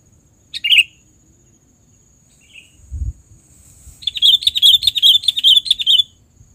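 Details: Sooty-headed bulbul used as a lure sound: one short bright chirp, a pause with a soft note, then a lively run of about ten quick, clear, bubbling notes in steady rhythm. A quiet low rumble sits beneath.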